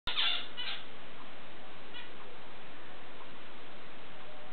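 Zebra finch giving a few short, nasal, honking calls over a steady low background hum.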